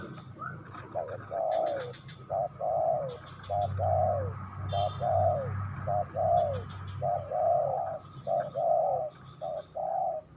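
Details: Spotted dove cooing in a steady series of low, mellow coos, a short note followed by a longer drawn-out one, repeated about once a second, over a low rumbling background and faint high chirps.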